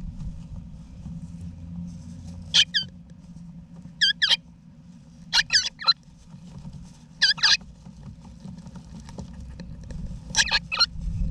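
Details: Wild eastern rosellas with their young inside a backyard nesting box, Australia, November 2018. Paired rasping calls recur every one to two seconds in short bursts, set against a quiet, low droning background.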